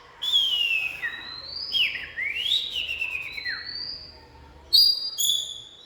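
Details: Oriental magpie-robin: long pure whistled notes that slide down and up, one swooping slur after another, ending with a couple of bright sharp chips.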